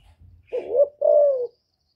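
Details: Captive female spotted dove cooing to rouse male birds: a soft rising coo flows into a long steady falling coo, preceded by a faint low rumble.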